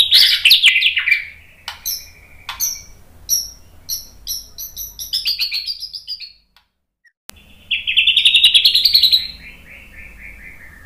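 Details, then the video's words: White-rumped shama song for training: a loud descending whistle, a series of short high chirps, a brief silence, then a rapid buzzy trill that rises and falls. "MASTERAN MURAI BATU biar ikut EMOSI NYAUT GACOR BONGKAR MATERI TEMBAKAN ¦ PANCINGAN MURAI"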